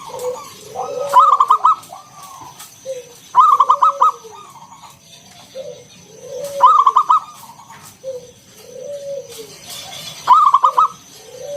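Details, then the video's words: Zebra dove singing ngalun 'kung bulat' coos as a lure for other doves: four loud rolling bursts of rapid coos about every three seconds, each followed by soft lower falling notes. "Suara NGALUN Kung Bulat - Perkutut lokal gacor Pancingan"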